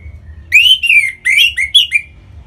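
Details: Orange-headed thrush, a kept bird from North Bali, Singaraja, sings to prompt other birds into song: a string of clear, bright whistled phrases, sliding and wavering, with short gaps between bursts over a quiet low hum.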